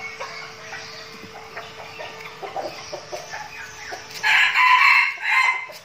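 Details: Training flock of red junglefowl decoy birds in Binh Phuoc, Vietnam: scattered soft clucks and clicks, then a loud, raspy rooster crow near the end, with a second shorter phrase following it.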